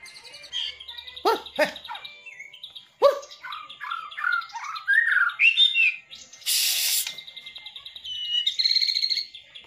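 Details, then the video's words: White-rumped shama singing in its bowing manner with lavish filler phrases: loud sweeping downward notes, a run of descending slurred whistles, a harsh noisy burst, then a high buzzy trill. "MURAI BATU KAPTEN JRG || IDENTIK GAYA SUJUDNYA ,TEMBAKAN ISIANYA YANG MEWAH"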